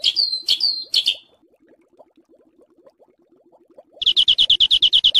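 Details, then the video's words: Harsh 'besetan kasar' training recording for songbirds: three loud downslurred scratchy notes, a pause with only faint ticking, then a fast, even rattling trill. "Masteran Besetan Kasar Mematikan"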